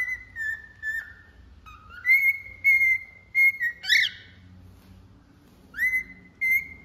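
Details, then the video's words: Singing cockatiel gives long steady whistles, some dipping then climbing back, in a run of repeated notes, with one rough buzzy burst in the middle before the clean whistling resumes. "Calopsita Cantando"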